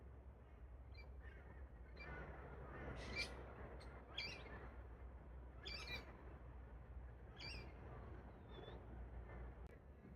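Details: Wild pair of Australian Galahs (Rose-breasted Cockatoos) in park trees during a pair bonding ritual; harsh screeching calls at irregular intervals, about five bursts, over steady low traffic rumble.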